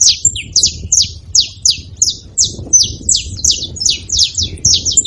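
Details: Saffron finches living free, noisy at a feeding spot: steady stream of high, steeply descending chip notes from several birds, overlapping in rhythmic pulses throughout, over faint low background noise.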